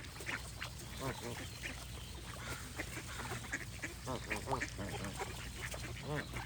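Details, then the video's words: Distant flock of geese: softer nasal honks and short yelps scattered irregularly, partly masked by broadband background noise and a low hum. "Goose & Birds Sound Effects for Relaxation"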